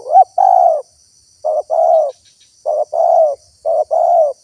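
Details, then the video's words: Lure recording of a spotted dove for attracting wild doves, so others answer: low coos in pairs, a brief clipped note followed by a longer steady hoot, repeated with pauses of about a second, over faint high hiss. "SUARA TEKUKUR GACOR PALING AMPUH UNTUK PIKAT BURUNG LIAR"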